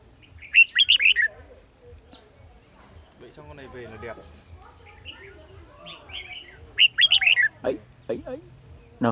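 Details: Red-whiskered bulbul decoy bird singing in a trap, recorded 18 December 2020: bursts of loud, rapid warbled whistles, then a second burst near the end, with men talking in between.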